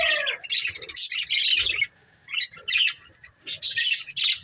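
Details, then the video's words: A breeding pair of budgerigars chirping, dense bursts of buzzy, scratchy chatter and squawks high in pitch, broken by short pauses, with a lower warbling note near the start. "Beautiful Budgies Chirping Sounds"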